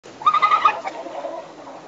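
A peregrine falcon gives a rapid, harsh chatter of about five clipped notes in half a second, then fades into a faint echo.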